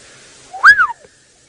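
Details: Black-headed oriole (Oriolus larvatus) in a knobthorn tree, Sabi Sand, South Africa, around 8 a.m. on 15 March 2018, gives an unusual contact call: a single liquid whistled note rising then sliding down, under half a second, over quiet hiss.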